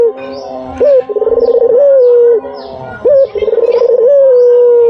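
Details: Lure call of a white dove: two full low coo phrases, each a quick rising upbeat followed by a trembling, then smooth, drawn-out mellow tone easing downward, with a faint steady hum underneath.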